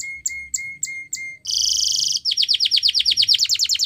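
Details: Spanish Timbrado canary song used for training canaries: five short, level whistled notes, then a dense, rapid metallic trill, then a run of quick, looping high notes, each bending up and then down.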